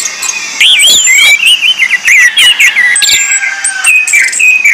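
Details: Orange-headed thrush lure song for bird training: a clear, wavering whistled phrase sliding up and down, followed by shorter twittering notes and a few high whistles.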